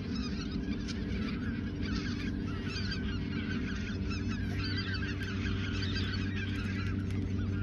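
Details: Flock of geese at the Ochsenmoor nature reserve, autumn 2022, days before heading south; continuous chorus of many overlapping honks and yelping calls above a constant low hum.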